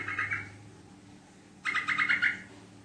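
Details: Yellow-vented bulbul chattering for a lure recording, quick and long: a short pulsed burst, a pause of about a second, then a longer rattling series of rapid harsh notes.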